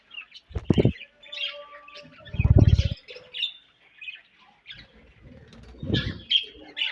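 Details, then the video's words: Budgies chirping while eating, scattered chirps and a steady tone among loud low thumps and fluttering, with warbled chatter toward the end. "𝑪𝒖𝒕𝒆 𝑩𝒖𝒅𝒈𝒊𝒆𝒔' 𝑪𝒉𝒊𝒓𝒑𝒊𝒏𝒈 𝑺𝒐𝒖𝒏𝒅𝒔 𝑾𝒉𝒊𝒍𝒆 𝑬𝒂𝒕𝒊𝒏𝒈"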